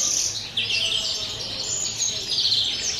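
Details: European greenfinch singing pure 'campero' style song on 30 December; dense, high, buzzy trilling phrases follow each other without pause over three seconds.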